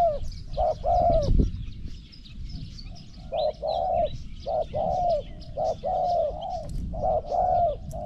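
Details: Zebra dove singing in a Thai cooing competition: a series of soft, rolling, trilled coos, each about half a second long, delivered in quick clusters with short pauses, steady in pitch; faint chirps of other birds sound in the background.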